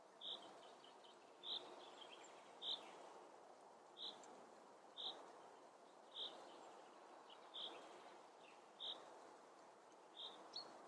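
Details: Western osprey eating a crucian carp in the Eifel, Germany; short, sharp whistled notes repeated roughly once a second, about nine in a row, over a steady hiss of background noise.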